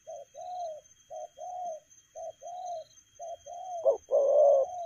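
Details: Quick-paced spotted dove cooing in 'lèo gù' style, a short clipped note leading into a longer rounded coo, repeated four times, the last pair louder and fuller.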